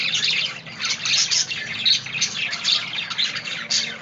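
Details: Budgerigar chatter: busy, high-pitched chirping and twittering in quick overlapping bursts, with steady energy and short louder pulses throughout.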